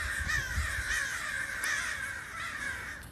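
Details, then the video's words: Crows massed into a flock, recorded from indoors: a steady backdrop of hoarse cawing, with several clearer single caws standing out at irregular intervals of about half a second. "Crows crowing"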